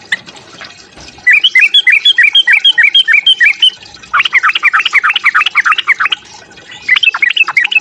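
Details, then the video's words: Fighting song of a sooty-headed bulbul, meant to stir up other bulbuls: a bright run of bouncing chirped notes, then a denser, faster burst of sharp notes, a short pause and a final lively flurry. "Suara TRUCUK TARUNG, memancing EMOSI bunyi trucukanmu."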